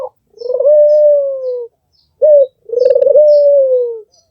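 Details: Albino Barbary dove with red eyes giving two long coos, the second preceded by a short abrupt note; each coo starts with a vibrating trill and ends in a smooth, slowly falling tone.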